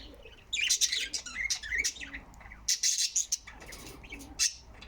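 Budgerigars chatter in quick, scratchy chirps and warbles, with bursts of high, rapid twittering.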